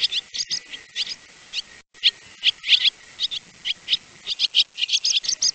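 Swallows twitter in quick, high chirps and short rising notes, several overlapping in a busy chatter with brief pauses.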